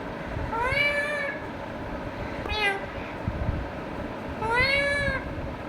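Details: Indian ringneck parakeet talking to itself: three drawn-out, arching, nasal calls rich in overtones, spaced about two seconds apart, over a low background rumble.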